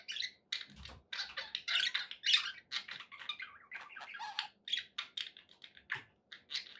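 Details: Budgerigars in a happy mood, chirping in a quick uneven series of short scratchy notes and squawks, some louder bursts, with a soft low thud near the start.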